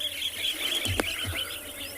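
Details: A group of Wattled Starlings coming in and out at a waterhole on a hot February evening in Tswalu Kalahari Reserve, South Africa, makes a racket of constant squeaky, wheezy overlapping chatter, with one sharp knock partway through.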